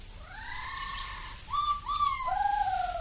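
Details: Black-backed Magpie from Australia: clear, fluting notes with rich overtones. A long level whistle is followed by short rising and falling yodelled phrases, all mellow and bell-like over a quiet hiss.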